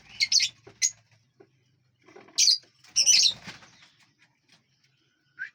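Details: Aviary lovebirds eating seeds, fruits and vegetables and flying about give loud, shrill chirp bursts in clusters, separated by short quiet pauses, ending with a single brief squeak.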